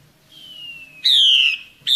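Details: Wild female Hwamei in forest during breeding season, calling to lure males: a faint long descending whistle, then a loud harmonically rich slurred whistle falling slightly over half a second, another starting at the end.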